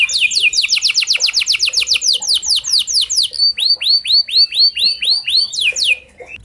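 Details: Canary song used as a lure to prompt other canaries to sing: a fast trill of descending high sweeps, then a slower run of rounded, repeated swooping notes, ending in a steep falling phrase.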